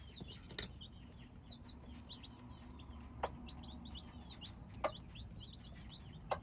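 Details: Hybrid chicks giving a steady stream of thin, high cheeps, several birds calling at once, with a few loud clicks and a steady low rumble behind them.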